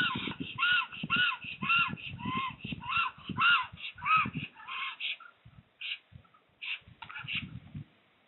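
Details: Black storks at a nest in RDLP Łódź, Poland, on 15 April 2020, as a new female attacks and the male gives up after a trial of strength. Rapid harsh, nasal calls come about twice a second, then a few spaced calls, over thumping and rustling.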